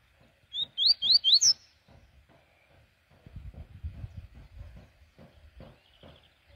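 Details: Double-collared seedeater in the morning: a quick burst of five sharp, rising high chirps in about one second, then quieter low rustling and thumping noises.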